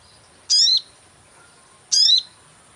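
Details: Sogon lure call for catching birds: two short, high, sharp chirps about one and a half seconds apart, each a quick descending flourish, over near silence with a faint high steady whine.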